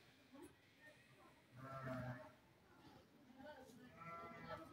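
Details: A pet Pakistani ringneck (rose-ringed parakeet, Psittacula krameri) talks in two nasal, speech-like phrases of about a second each, separated by a pause, over a low background hum.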